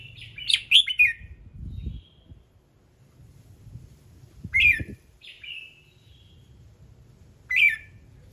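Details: A red-whiskered bulbul sings its varied morning phrases, used to get other birds singing: a rapid cluster of bright, tumbling whistled notes, then after a pause two more sharp phrases and a final one, with low thuds and hum between.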